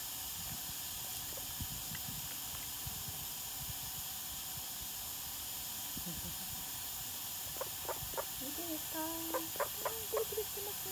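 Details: A call duck let outside in the morning bathes in water, giving a quick run of short, nasal quacks near the end over a steady hiss of running water, with a person talking earlier.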